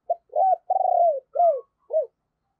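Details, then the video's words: Decoy spotted dove with a deep, thunder-like voice, kept to lure wild doves. One phrase of five low coos: a short opening note, two fuller coos, a long drawn-out falling coo, then a brief final coo. Quiet background. "Tiếng Chim Cu Gáy Giọng Sấm Bầu Gáy Hay - Chim Cu Mồi"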